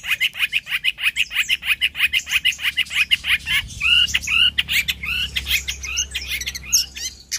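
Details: Long-tailed shrike singing energetically: a fast run of sharp, downward-sweeping notes, about three per second, followed by varied curved, warbling phrases, with a faint low hum underneath.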